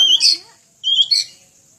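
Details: Oriental magpie-robin in full song for a training recording used to teach other birds: two brief bright phrases, each a clear high whistle running into a buzzy, scratchy burst, separated by a short pause.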